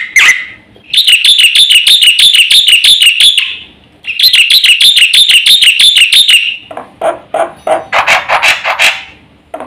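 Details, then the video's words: Black-winged myna singing a varied song. Two long, wavering, trilled passages of quick, ringing notes are followed by rougher, broader chattering notes that swell and fade. "suara jalak putih GACOR FULL ISIAN"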